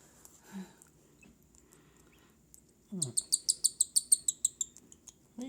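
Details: Hand-fed baby cockatiels beg with a quick burst of about a dozen shrill, evenly spaced high chirps in the second half, preceded by faint scattered peeps and a low rustling sound.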